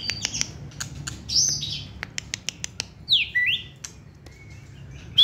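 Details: Hand-held caged white-rumped shama, short-tailed competition singer: sharp dry clicks in a loose series, high whistled slurs, then a steeply descending two-part whistle and a thin level note before a bright closing whistle.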